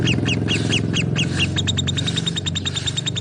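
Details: Lovebird chirps, sharp and high, repeat several times a second over a strong low humming background noise.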